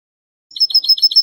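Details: Goldfinch song in the Spanish canto de salón style, from a training recording: a quick series of clear, ringing high syllables repeated at an even pace of about seven per second.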